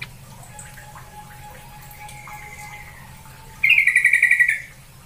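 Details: Sooty-headed bulbul lure call for making a bird sing and grow tame: faint thin tones, then a loud, bubbly burst of rapidly repeated chattering notes lasting about a second.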